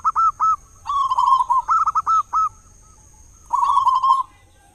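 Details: Loud local zebra dove used to coax other doves into song at dawn and dusk: three opening coos, a quavering trill with hooked notes, a silence, then another brief trill.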